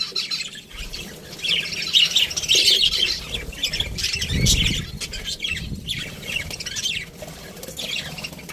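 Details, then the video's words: Budgerigars chirping in an aviary, a flock's continuous scratchy warbling chatter, louder in the middle, with a low thump and rumbling background. "Budgies Parrot chirping sounds"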